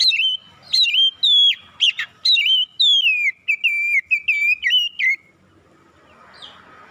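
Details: Oriental magpie-robin singing in the morning: a fast, varied sequence of ringing whistles with downward slurs and sharp upward flicks, continuous for five seconds before fading to soft background noise.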